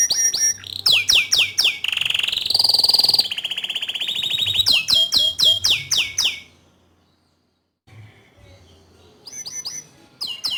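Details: Bottle-green canary singing actively, a tutor song for young and untrained canaries: fast repeated chirps and rolling trills, a sustained buzzy trill midway, then a brief pause before sharp downslurred notes resume.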